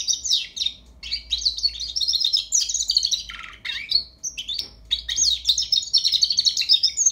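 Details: Young European goldfinch working out its song with loud, fast tinkling phrases, buzzy trills and a few lower descending notes, split by short gaps into several twittering runs.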